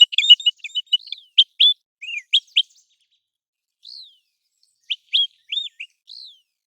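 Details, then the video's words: American golden plover, heard in migration and breeding seasons, opens with a rapid chatter of high notes, then spaced clear whistles, some falling, some arched, in quiet surroundings. "American Golden Plover Call | American Golden Plover Sound"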